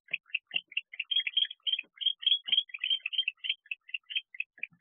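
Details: Agitated male barn owl in its nest box at night, 31 October 2023, reacting to an arriving predator: a fast, uneven chatter of short, high, squeaky ticks, several per second, with a few soft thumps.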